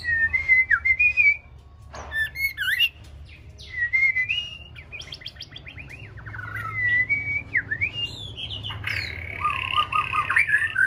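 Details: Six-month-old white-rumped shama practising its song: varied clear whistled phrases, slurred up and down, with rapid chirpy trills and buzzy notes between short pauses, over a low steady background hum.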